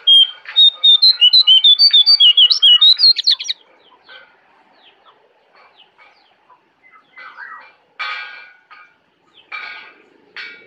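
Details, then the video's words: Jongkangan singing in a Kintamani forest, Bali. A loud, fast string of high, piercing chirps lasts about three seconds, followed by quieter scattered rasping sounds and short noisy bursts. "Jongkangan Gacor Dari Hutan Kintamani, Bali"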